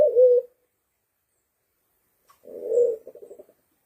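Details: Sulawesi black pigeon lure call: a cut-off low coo at the start, then after a pause a longer, breathy coo that trails off into a rapid stuttering series of soft pulses. The background is quiet.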